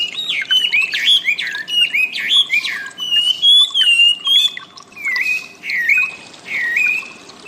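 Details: Training audio of wambi birdsong for cage birds: clear whistled notes bending up and down in paired phrases, followed by shorter falling whistles with brief pauses between.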